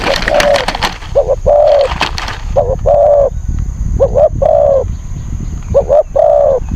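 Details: Spotted dove calling as a decoy to lure wild birds into a trap in Thailand. A short double note is followed by a longer mellow coo, and the phrase repeats three times. Rustling noise is heard at the start, with a steady faint hiss throughout.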